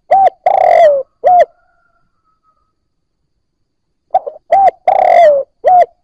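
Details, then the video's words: Spotted dove cooing, used to prompt newly caught birds to coo: short hollow notes and a longer falling coo, a pause, then another run of clipped notes around a drawn-out coo. "Tiếng cu gáy kích bổi nhanh nổi"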